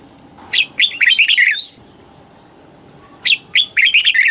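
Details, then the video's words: Red-whiskered bulbul song from Thailand in the southern master-pattern style, played to excite birds or teach young birds. Two bright, whistled, warbling phrases of quick rising and falling notes, each about a second long, with a quiet gap between them. "เสียงนกกรงหัวจุก สำหรับต่อ หรือ เปิดให้นกคึก"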